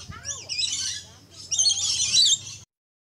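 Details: Red-collared lorikeet at Lion Country Safari in Florida; two bursts of harsh, noisy screeching squawks, the second longer and louder, with faint lower chatter and possibly a voice in the background.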